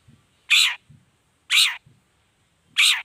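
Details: Long-tailed shrike calling actively to provoke rival shrikes; three drawn-out, hoarse, grating screeches about a second apart, each preceded by faint low thumps.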